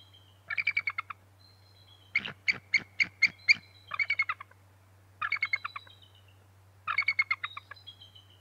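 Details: At the Decorah North nest near dawn on 6 March 2018, bald eagles call during a shift change, the male arriving and the female shifting to a lower branch; five loud series of quick, piping, staccato chitters, under a constant electrical hum.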